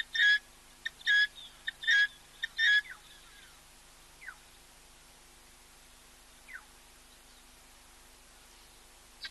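A helmeted guineafowl gives a run of harsh, grating notes in quick succession, then falls quiet.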